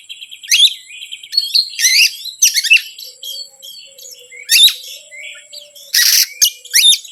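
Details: Oriental magpie-robin song played to provoke other birds into responding: rapid chattering bursts of harsh, scratchy notes mixed with brief whistles, coming in clusters over several seconds with a soft low tone underneath.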